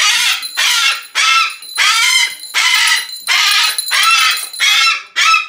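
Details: Pet umbrella cockatoo, a rescued 23-year-old female, calling indoors with a fast run of about ten harsh, rasping squawks, short and clipped, almost continuous.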